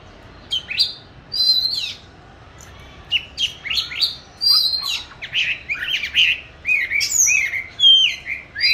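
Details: Oriental magpie-robin, a caged bird in song training, singing varied phrases of rising and falling whistles and harsh chirps, growing busier and louder toward the end, over a steady background hum.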